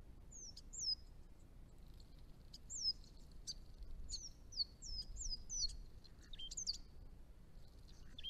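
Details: Chestnut-rumped Thornbill, a scarce small bird of northern Victoria, Australia, at backyard ponds: thin high downslurred whistles spaced irregularly, a few lower upswept notes near the end, soft hiss and low rumble behind.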